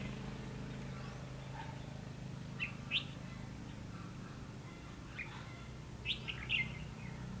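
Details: Decoy red-whiskered bulbul calling in wild birds at a trapping site, December 2015; sparse clusters of sharp, fluty chirps separated by long pauses, with a faint low droning background.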